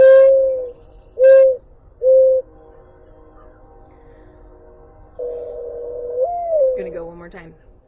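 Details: Soft, low, hollow coos from a Mourning Dove in Ohio, three short notes and then a longer swelling one, often mistaken for an owl; a voice speaks at the end.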